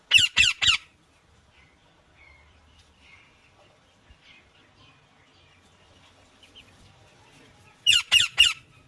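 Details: Green Indian ringneck parakeet uttering a quick burst of three harsh screeches, a long quiet gap with faint chatter, then another fast triple of screeches near the end.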